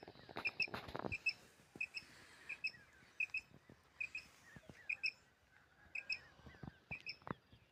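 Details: Common quail in Potohar, Punjab, Pakistan, recorded for quail hunting and netting, gives short, liquid, high notes in quick clusters, repeated about every half second to second, over scattered clicks and knocks.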